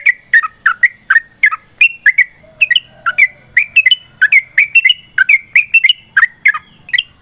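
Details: Yellow-vented bulbul in a long fighting song meant to provoke other birds to reply: uninterrupted, rapid chains of bubbly, warbling slurred notes at a lively, even pace.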